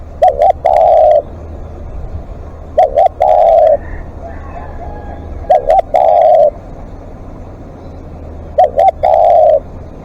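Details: Spotted dove used as a live decoy, calling long: a repeating phrase of two short coos and a longer held coo, given four times roughly every three seconds, loud and near, with faint background hum.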